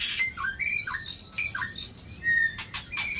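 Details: White-rumped shama in a singing contest delivering short slurred whistles that dip and rise one after another, followed by several sharp, clicking high notes and a level whistled phrase.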